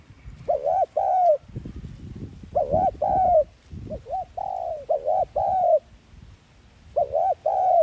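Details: Spotted dove lure coo of the thúc gù type, used to excite caged doves into calling. Several phrases of humped, resonant coos are heard, with low thumping background noise between the first phrases.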